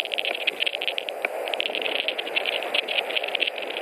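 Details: At a Latvian nest on 21 March 2018, a white-tailed eagle pair brings hay before a short mating; a fast run of sharp yelping notes rattles on throughout, over constant broadband hiss.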